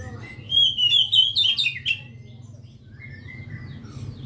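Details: Oriental magpie-robin delivering a quick, rich phrase of sharp whistles and buzzy trills lasting under two seconds, then a quieter level whistle, with low background hum.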